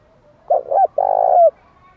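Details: Spotted dove song used to goad wild doves into fighting and calling back. One phrase with two short low coos, a brief pause, then a sustained vibrating coo ending in a quick upward-sliding note. Quiet background.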